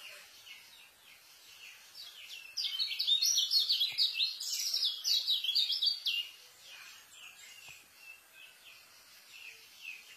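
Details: White-eye singing the fast, densely filled 'speed' style meant for tutoring newly acquired white-eyes; soft scattered chirps swell into a loud three-second burst of rapid, high, jumbled twitters before dropping back to quiet notes.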